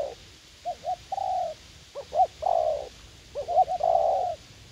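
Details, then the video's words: Young wild spotted dove, eager to fight, calling in a garden at U Minh during decoy trapping: paired short coos followed by a drawn-out, slightly descending coo, phrase repeated twice. "Gác Cu Gáy / Bổi Tơ Háo Đá"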